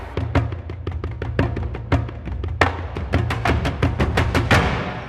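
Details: Loud percussive music with drums and wood-block hits, with no animal calls.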